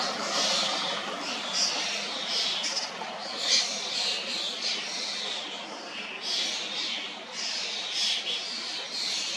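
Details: Young Common Starlings (Sturnus vulgaris), just out of their nestboxes and fed sweet cherries by adults in a high cherry tree in Hrodna, western Belarus, on 2 June 2025, give loud, harsh, wheezy rasping bursts almost every second over a steady hiss.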